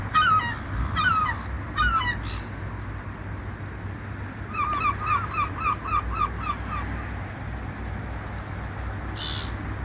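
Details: Seagulls flying over the ocean: loud squealing calls open, then after a pause one gull gives a rapid even series of about ten short yapping notes, with waves hissing and a low hum throughout.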